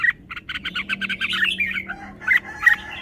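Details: Caged red-whiskered bulbul delivering a song phrase: a rapid, chattering run of short, evenly paced notes, followed by a brief pause and two louder, clear whistled notes near the end.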